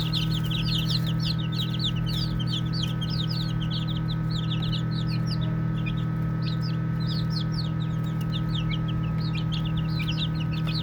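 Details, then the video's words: Baby chicks at play fill the space with a busy, unbroken chorus of thin, high peeps from many birds, with a steady low droning hum beneath. "Baby Chicks Chirping Sounds"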